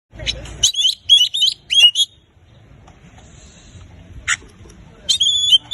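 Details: Oriental magpie-robin in full 'gacor' song, used to prompt silent magpie-robins to sing: bright whistled phrases mixed with harsh buzzy bursts, separated by short pauses, then a clear rising whistle near the end.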